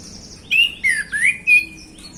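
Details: Relaxed afternoon singing by a male orange-headed thrush: four clear whistled notes, rising and falling slurs with bright high overtones, in a quick phrase lasting about a second.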